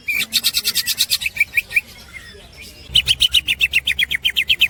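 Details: Master recording of a green leafbird (cucak hijau) for training songbirds, melodious 'ngekek' snickering: rapid bright chirp series, a short lull, then another fast, even run of sharp notes.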